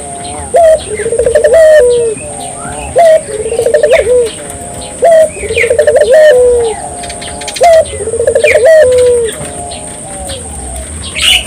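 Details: Barbary dove song played to encourage local doves to sing: a short sharp rising note followed by a rolling, wavering coo that falls away, repeated roughly every two and a half seconds over a steady high hiss.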